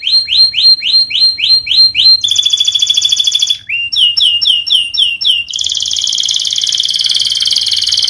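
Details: Canary song used as master training audio for silent birds: rising whistled notes repeated rapidly, then a long buzzy rattle, a shorter run of rising notes, and a final loud, sustained buzzing trill.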